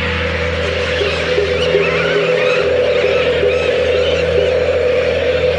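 Continuous layered music with sustained low drones and shimmering mid-range tones, without any clear animal call.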